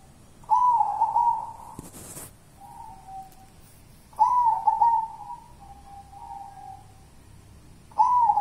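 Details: Kuntilanak song of a local wild zebra dove: warbled, quavering coo phrases, each trailing into a softer, steady, lower-pitched tone. Three phrases come about every three and a half seconds, with a short rustling noise between the first two.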